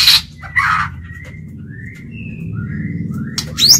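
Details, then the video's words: White-rumped shama decoy bird singing to call and challenge wild birds: brief high chirps, then several short, level whistled notes spaced about half a second apart, and a rising whistle at the end, over low rumbling background noise. "Chích chòe lửa mồi hót gọi bổi"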